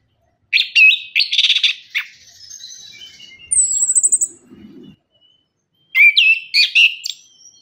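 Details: Orange-headed thrush singing as a lure for birds that sing little after moult. Dense scratchy warbling, a high thin trill, a pause, then renewed bursts of sharp varied notes.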